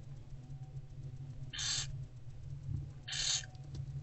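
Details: Barn owlets in an owl box being fed by their mother in daylight, 15 February 2024, late morning: two harsh, breathy hissing screeches about 1.5 seconds apart over a steady low electrical hum.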